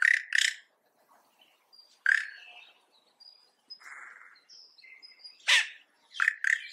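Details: Yellow-rumped cacique singing harsh, strange notes: loud broadband bursts, a creaky rasping "kshara-chee"-like phrase, a buzzy band near the middle, thin high whistles, and clusters of sharp notes toward the end.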